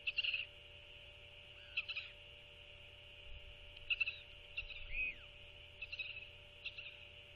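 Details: Royal albatross at dusk on 21 February 2024, during the chick's post-guard stage, after a parent fed its chick dinner: several short, harsh harmonic calls scattered across the recording, set against a steady high background hiss.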